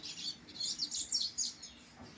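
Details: Brown-plumaged rusty-collared seedeater from a bred bloodline giving a short burst of high, fast twittering and chirped notes, quick and jumbled, with a low steady hum behind.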